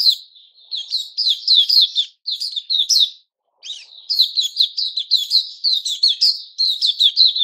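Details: Puteh Raja, the white-crowned shama, a caged bird in new-feather season recorded 6 September 2021, pouring out rapid high warbled phrases, a short silence midway, then resuming a busy chatter.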